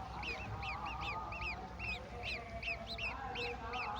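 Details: While a golden oriole feeds a mantis to its young, arched whistled chirps sound in loose pairs, a little over two per second, above a noisy low hum.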